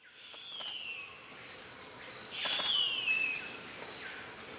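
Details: Female harpy eagle calling for the male around and inside her nest in Carajás National Forest, Amazon; thin, high whistled notes slurring downward, one faint and one stronger, over a steady insect drone and clicks.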